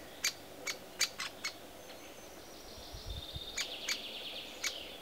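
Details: Young great spotted woodpecker at its nest site shortly before fledging. Sharp, sudden clicking notes come first, then a quieter, buzzy, rapidly repeated chatter in the second half.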